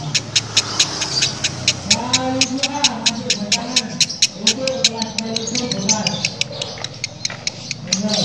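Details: Female lovebird making an odd, rough cackling likened to a diesel engine: rapid, evenly spaced harsh clicking pulses, about four per second, running throughout, with a person talking underneath.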